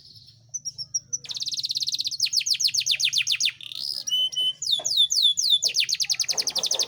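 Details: Yorkshire canary, a caged male, singing as a master recording to stir quiet canaries and prompt mating: soft high peeps, then long rapid trills of repeated notes and sweeping downward whistles, with a low hum beneath.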